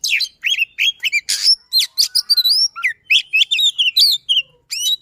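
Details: Fast, insistent song of a white-rumped shama kept as a songbird: sweet upslurred and downslurred whistles alternate with scratchy trills and clicks in quick, closely spaced phrases.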